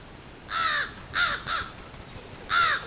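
Crows give four harsh, rasping caws in quick succession, two close together in the middle, sounding agitated as they call in alarm at a fox.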